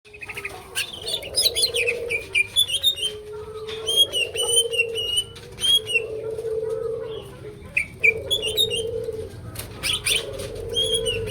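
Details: Greater green leafbird, likely caged, singing a lively full song of bright, clear whistled notes, rising and falling, repeated in quick phrases over a steady low cooing hum and faint chirps.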